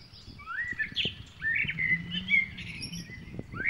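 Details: A white-breasted waterhen mother with two chicks at Weeraketiya, Southern Province, Sri Lanka: thin, high peeping whistles, some slurred upward, in quick overlapping notes over a low outdoor rumble.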